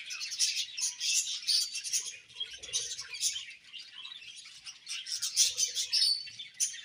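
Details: Budgerigars chirp and chatter without a break, a bright, crowded stream of quick high notes and buzzy twitters with regular loud peaks.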